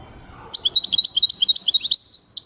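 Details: European goldfinch singing a quick run of high, tinkling chirps and short twittering notes that ends in a drawn-out buzzy note, over a faint low background murmur.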